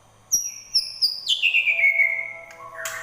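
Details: Caged white-rumped shama in prolific singing form, readied for a songbird contest: clear whistled notes stepping down from high to mid pitch, ending in a burst of rougher notes.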